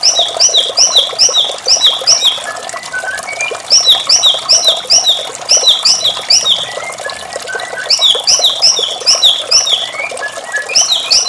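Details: White-rumped shama singing melodiously in the morning: quick high paired chirps repeated in rapid runs, with short trilled phrases and a few lower whistles, over a steady rush of flowing water.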